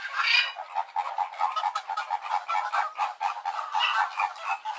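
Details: Flamingos calling: a dense, overlapping chorus of nasal, honking and gabbling notes from many birds, continuous with no gaps throughout.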